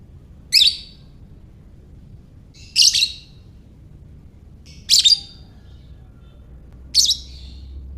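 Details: A lovebird in the ngekek style, used to stimulate other lovebirds, gives four evenly spaced, shrill squeaky bursts about every two seconds, each brief and descending slightly, over a low hum.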